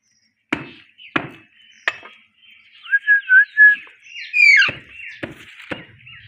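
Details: Pet Indian ringneck parakeets, a pair: loud knocks, then a wavering whistled phrase that climbs into a shrill, buzzy squeal, followed by more knocks.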